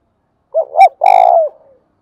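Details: Long call from a spotted dove, in the local thúc bổi and gáy gọi calling styles. Two soft rising coos run into a sustained, rough-textured coo that slides downward at the end. No other sounds are heard.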